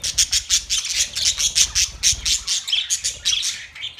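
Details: Australian parrots chirping steadily: evenly pulsed bright chirps about four per second, with squawks overlapping and soft low thumps.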